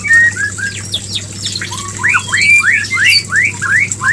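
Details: White-rumped shama mating call, used to bring a female into breeding condition: a quick run of loud rising whistled sweeps, repeated about three per second, over a steady low electrical hum.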